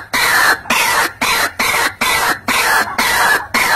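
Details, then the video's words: A White-breasted waterhen lure call for trapping: loud, harsh, croaking notes, about two each second in a steady run, with nothing else heard. "SUARA PIKAT RUAK RUAK PALING AMPUH"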